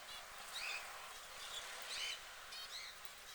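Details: Yellow canary (Crithagra flaviventris) call while preening: short, high chirps, four in about three seconds, with some bright twittering notes, over a steady background hiss.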